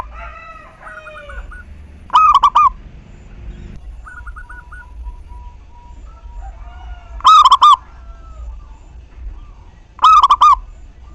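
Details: Local perkutut, a zebra dove, cooing as bait to set other doves singing: three loud rippling four-note phrases spread over eleven seconds, with quieter trilled notes from other birds at the start and in between.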